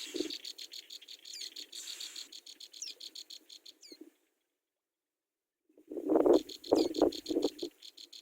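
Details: Begging from hungry Brown Prinia babies at the nest as their mother feeds them: rapid high ticking and occasional thin rising squeaks for four seconds, a silent gap, then louder fluttering and rustling with more ticks.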